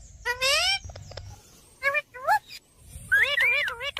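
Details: Parrot talking: three bursts of harmonic, speech-like syllables, the first high and sliding, the last a wavering warble, with soft low rumbling between them.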